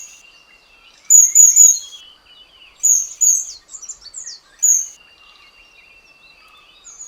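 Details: Oriental dwarf kingfishers courting in the morning in India's Western Ghats, around the hot dry season and returning monsoon, give very high, thin, shrill squeaks in short bursts of two or three over a steady insect drone.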